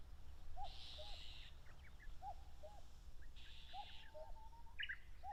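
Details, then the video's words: Common cuckoo defending territory on the open plain at the base of Mount Fuji, Japan, in late May: clear falling cuck-oo pairs about every 1.6 seconds, with bursts of buzzy insect or bird noise and scattered chirps. "カッコウ 鳴き声 縄張り争いに忙しい"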